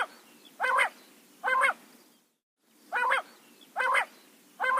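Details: Quail in jungle at morning time giving five clipped, nasal, harmonic calls about a third of a second long at a steady pace, interrupted by a short stretch of total silence, over low background hiss.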